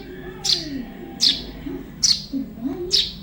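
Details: Young Eurasian tree sparrow calling, offered as a master recording to teach other songbirds: sharp, high chirps repeated roughly once every 0.8 seconds, four in a row, over a soft, low, wavering background sound.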